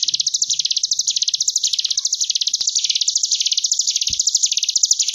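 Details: Sunda bush warbler singing ngebren gelombang tawon for training cage birds: a nonstop rapid high buzz of tiny notes, its lower edge undulating in steady waves, with a faint click partway through.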